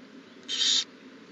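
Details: Owl at the nest on April 20, 2019, the morning a new owlet hatched; one short, harsh, breathy hiss lasting under half a second, with a soft low background hum.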